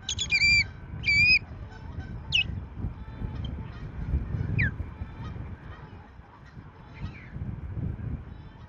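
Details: Osprey at the Rutland nest on 14 March 2024, as a resident female flies at an intruding female and sees her off. Loud, shrill, repeated yelping calls open the clip, followed by scattered softer single notes over low rumbling background noise.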